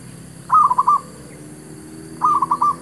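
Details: Zebra dove calling to draw in wild doves for trapping: two runs of rapid, rolling coo notes about one and a half seconds apart, the second run longer with five notes. Low rumble underneath.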